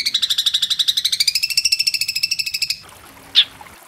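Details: Long-tailed shrike in the kuntilanak style linked with sparrow phrases, fast and dense, a training recording for caged songbirds: a rapid harsh pulsed trill of about thirty notes, rising slightly, stopping abruptly, then one sharp chip.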